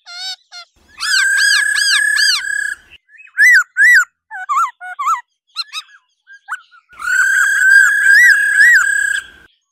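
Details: A female laughingthrush utters 'ro ro' calls meant to stimulate males to sing hard. A loud throaty arched note series, then clipped upslurred whistles and short chips, ending in another sustained rippling burst.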